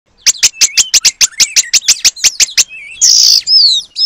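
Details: Oriental magpie-robin (kacer) in full song, mimicking the long-tailed paradise bird, used as training material: a fast run of about fifteen sharp, evenly spaced clicking notes, then a harsh buzzy burst and a short whistled slur.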